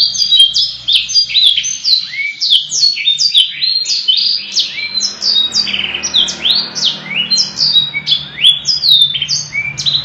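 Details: Canary pouring out a long, richly varied song (gacor panjang cengkok mewah): ten seconds of unbroken high chattering, with rapid repeated sweeping whistles and rattling trills, some notes rising, many falling, against a faint low background hum.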